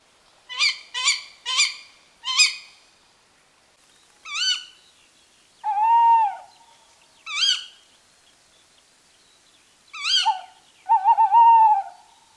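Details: Wild Tawny Owl at night in late February in a nature reserve in Warsaw, Poland, giving varied calls that differ from the typical hoot: rapid harsh rising notes, drawn-out wavering hoots and quavering tremolos, in near silence.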